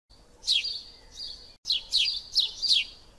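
Eurasian tree sparrow giving six quick, bright chirps in two bursts, each a short downward-sweeping note, over a thin steady high whine.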